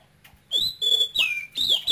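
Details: Caged male oriental magpie-robin from Cambodia, taken young, one season in the cage, singing in the Quảng Ngãi regional style: loud, clear whistled notes held high, some sliding down then up again, in quick separate phrases, low hum behind.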